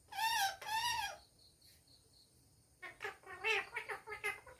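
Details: Parrot kept at home, talking: two loud, harmonic, rising-and-falling syllables open the clip, then a pause, then a chatter of shorter voice-like notes.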